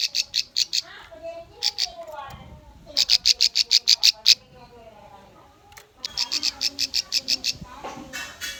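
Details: Bar-winged prinia song, played as a lure to train young birds: three bursts of sharp, high, rapidly repeated chips, roughly a dozen evenly spaced notes each, separated by short pauses, with faint low voices beneath.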